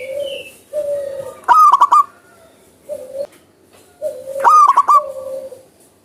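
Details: Actively singing wild zebra dove. Two bursts of rapid, vibrating coos about three seconds apart are set among steady, low, drawn-out hoots from other birds.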